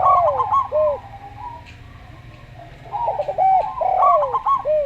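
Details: Local Zebra Dove in a slow singing style, heard with another dove: soft, mellow coos and short trilled notes in two bursts separated by a quieter pause, over a steady low hum.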